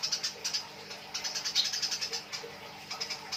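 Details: Fighting Eurasian tree sparrows make nyrecet calls, clusters of quick harsh high chirps in uneven groups, loudest near the middle, over faint steady hum.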